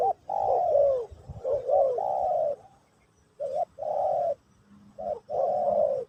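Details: Spotted dove singing in Pesom/Kacuk style during a teaching session for a new bird: low, hollow cooing notes in short phrases, a quick clipped note before each longer drawn coo, separated by pauses.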